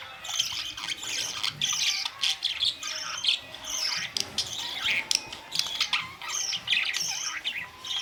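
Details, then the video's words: Colourful pet budgerigars on May 2, 2023; a flock giving continuous high warbling chatter and chirps in overlapping bursts. "Beautiful colors Budgies parrots"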